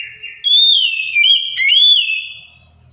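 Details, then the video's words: Oriental magpie-robin lure phrase for a silent bird: a soft steady note, then loud pure whistles that rise, dip and swell over about two seconds before fading. "KACER MACET, STRES LANGSUNG NYAUT DENGAR PANCINGAN KACER INI!"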